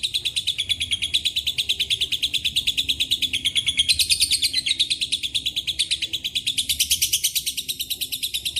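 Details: Lovebird giving an extended ngekek with cililin and canary fill-ins, recorded as a masteran lure: continuous rapid high chattering, briefly rising in pitch midway and near the end, over a quiet low background hum.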